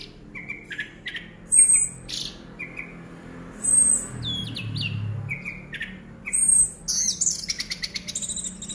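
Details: A caged Orange-headed thrush keeps singing even as its cage is shaken: loud, very high whistled phrases about every two seconds, mixed with rapid chattering notes, over low rumbling background noise.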